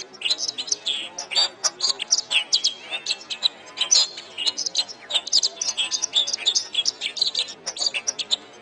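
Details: Canary master song for training other songbirds to sing well, ideally played in the morning or evening. Continuous high, rapid chirps and trills with twittering notes and short rolls following one another without pause.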